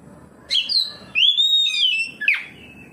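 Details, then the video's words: Oriental magpie-robin responding to a rival magpie-robin with open song: a sharp upward note, a long smooth whistled phrase gently rising and falling, and a quick downward flick at the end. "KACER NGEPLONG KACER LAIN LANGSUNG RESPON NGEPLONG BONGKAR ISIAN"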